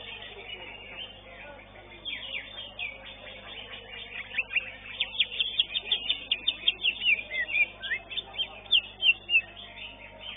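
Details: Greater green leafbirds at a songbird competition pour out dense, high, chattering song with sharp whistled notes, building to loud rapid bursts in the second half over a faint crowd murmur.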